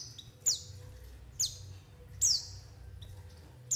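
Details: White-eye lure call, used to draw birds in for trapping and to get them calling: thin, high, sharply falling whistled notes, three clear ones spaced about a second apart, over a low steady hum.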